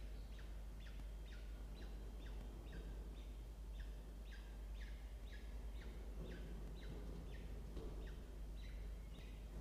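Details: Peregrine falcons in a research nest box on a water tower in Orange, New South Wales, Australia, on 7 October 2024, as the male brings small prey for the chicks at breakfast. Harsh harmonic down-slurred notes repeat about twice a second over a low background hum.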